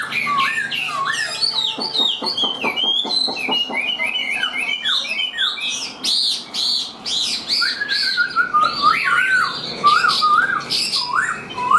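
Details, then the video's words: Caged Chinese hwamei singing while carried by hand: rapid bouncing whistled notes, a burst of fast buzzy stuttering, then loud varied slurred phrases and repeated rising-falling motifs. "Chim Họa Mi Hót Đỉnh Cao, Thuần Sách Tay Hót"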